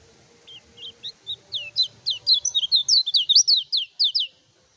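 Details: Song of a kecial kuning, used to provoke rival birds in training: spaced high notes quicken into a dense, bright run of sharp, slurred whistles, loud and rhythmic, then stop abruptly.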